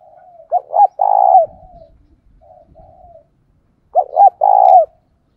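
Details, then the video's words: ['Spotted dove decoy bird cooing to lure wild doves: two loud phrases of low, throaty coos, each a couple of quick short notes leading into a longer drawn-out coo, with softer coos between and a quiet background.'] "Cu Gáy Mồi Thúc - Gáy Gọi Kích Bổi"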